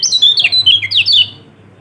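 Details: Short burst of lure song from a Lombok yellow-throated white-eye, or kecial kuning, meant to prompt a silent bird to sing. Rapid, high, chirping warble of slurred notes ends abruptly, leaving a faint low hum.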